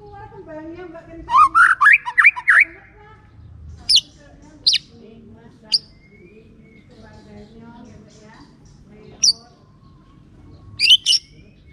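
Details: White-rumped shama song played as a lure so silent shamas answer: a brief rapid burst of bright, slurred whistles, then scattered sharp high chips at irregular intervals over a quiet background.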